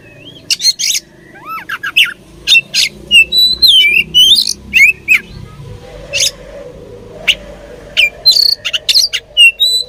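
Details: Fighting oriental magpie-robins singing: rapid sequences of bright whistled slurs, chirps and rasping bursts, closely spaced throughout, over steady low background noise.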